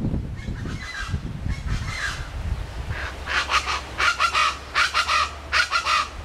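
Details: Chachalaca at Quinta Mazatlan, McAllen, Texas, in the Rio Grande Valley, giving a rhythmic series of harsh, scratchy bursts, about six pulses in the second half, after low rumbling handling and wind noise at the start.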